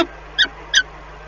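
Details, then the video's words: Peregrine falcon calls heard at a Lublin, Poland nest on 14 April 2020 while eggs are turned in the morning, the voice coming from a different nest: two brief, bright, ringing notes about 0.4 seconds apart over a constant hum. "Sokoły wędrowne PGE Lublin (PL) 2020.04.14 - Poranne torlanie jajek (głos z innego gniazda"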